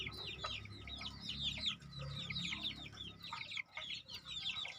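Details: Crossbred decoy junglefowl young, about two months old, keep up a busy chorus of sharp high peeps that slide downward, crowded and overlapping, with a steady low rumble beneath.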